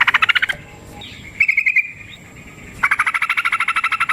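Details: Yellow-vented bulbul in fighting song: a fast stuttering rattle breaks off into a brief thin twittering phrase, then a long, harsh, rapid rolling chatter of evenly repeated notes resumes.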